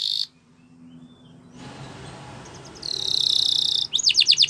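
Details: Canary training song partly masked by background hiss: a short note, a stretch of noise, then a sustained buzzy rolled tone and a burst of quick falling trilled notes at the end.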